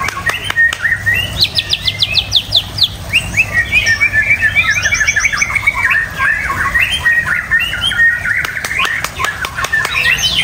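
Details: White-rumped shama pouring out a long, rich song: rapid trills, buzzy rattles and bright whistled slurs in quick succession, loud and continuous, with faint clicks and a low hum behind.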